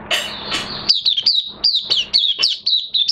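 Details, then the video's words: Caged Oriental white-eye in minor moult, recorded 3 June 2022, singing high thin chirps that swoop down, rapid and uneven, after two opening bursts of broad rustling noise. "Mata Puteh Kitaro V1 buka sing"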